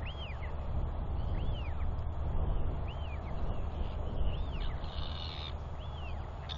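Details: Royal albatross chicks calling during a father's visit to feed his chick, 9 June 2021; arched whistles roughly every second, with a short buzzy burst midway, all over a steady low roar of wind.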